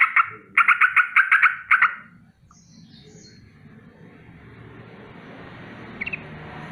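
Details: Yellow-vented bulbul giving a rolling morning danger alarm: a fast burst of about eight sharp, repeated chattering notes over two seconds, then near-silence with a faint background hum and a brief high chirp near the end.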